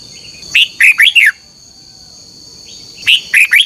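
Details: Morning song of a red-whiskered bulbul, a lure recording for contest training; quick phrases of three or four bright, looping whistled notes, repeated after a gap of about two and a half seconds, over a constant high-pitched hum.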